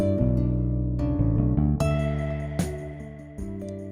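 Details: Acoustic guitar music with plucked and strummed chords and a deep bass line, no animal sounds.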